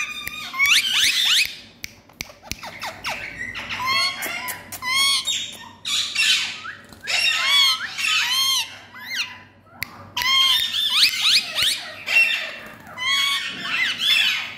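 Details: Rose-ringed parakeets at play give harsh, screeching squawks in rapid bursts every second or two, several birds calling over one another with short pauses between bouts.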